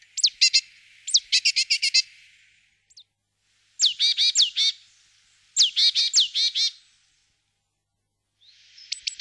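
Great tit giving bursts of sharp, ringing, down-slurred notes in quick runs of six to eight, repeated after short pauses; nothing else is heard.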